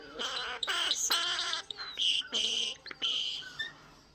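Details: Pet common starling, a talkative male kept indoors, chattering in a buzzy, scratchy voice with harsh speech-like bursts and short high squeaks, several phrases broken by brief pauses.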